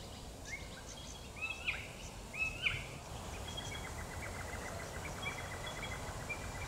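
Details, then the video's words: Golden whistler singing at Wattle Park, Melbourne, Victoria, Australia, in August 2021: a few clear whistled notes followed by a pair of short, sharp rising phrases, over steady background noise and faint distant chirps. "Golden Whistler (Pachycephala pectoralis)"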